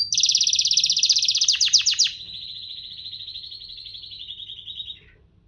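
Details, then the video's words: A canary delivers a loud, dense rolled trill that quickens, then shifts to a softer, lower continuous rattle that fades out after several seconds. "كناري مذهل و تغريدة رائعة / Amazing canary and wonderful tweet"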